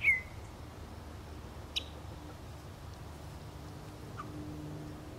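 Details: At Beech Hill Preserve, Rockport, Maine, on 9 June 2013, a yellow-breasted chat gives one loud, downslurred whistle, then a sharp single chip and a faint low note, over a steady low rumble.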